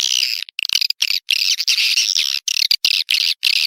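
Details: Sulawesi swiftlet calling sound meant to attract birds into a swiftlet house: continuous high, buzzy chattering in steady bursts separated by brief pauses.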